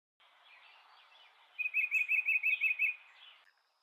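A small bird sings a quick run of about eight bright, evenly spaced chirping notes, high and steady in pitch, over a soft background hiss.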